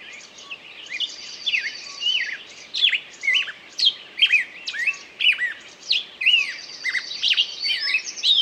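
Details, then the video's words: Bird singing: bright whistled chirps that slur up and down, coming about once a second in loose bursts, with a thin trilling note held high in the background. "пение птицы"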